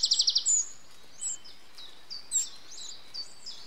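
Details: Adult Eurasian wren feeding nestlings, 8 June 2013: a fast opening burst of about six sharp high notes, then scattered thin slurred squeaks and chirps from the young, steady hiss behind.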